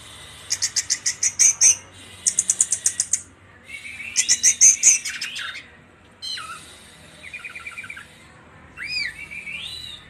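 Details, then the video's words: Indonesian orange-headed thrush in fierce 'trotol' song: rapid machine-gun series of clipped high notes in three bursts, followed by looping whistled slurs, a brief stuttering trill and more swooping whistles. "anis merah trotol jahat"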